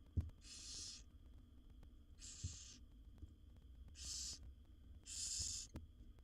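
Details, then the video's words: Mother barn owl feeding her seven wild owlets in a nest box draws hoarse, hissing begging calls: four breathy rasps at uneven intervals, with a few sharp low knocks between them. "Barn Owl Mother's Amazing Feeding Routine with Her 7 Babies"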